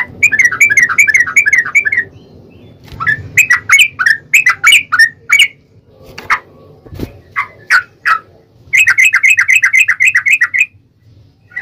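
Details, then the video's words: Yellow-vented bulbul song played as a lure so another bird answers: bursts of fast bubbly chattering notes separated by gaps, sharper scattered notes between the runs, low background hum throughout. "trucukan gacor TARUNG ROPEL PANJANG pancingan trucukan agar bunyi"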